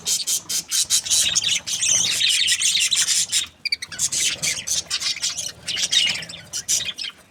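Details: Dense, loud budgie chatter: rapid, scratchy, high chirps run almost nonstop, with a short pause midway before the busy twittering resumes.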